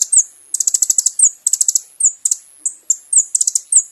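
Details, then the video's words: Kolibri ninja song for training caged birds: short bursts of rapid high ticking notes alternate with thin downslurred whistles, repeated steadily over four seconds. "MASTERAN BURUNG KONIN TERBAIK SEPANJANG MASA FULL ISIAN MEWAH MATERI KOMPLIT"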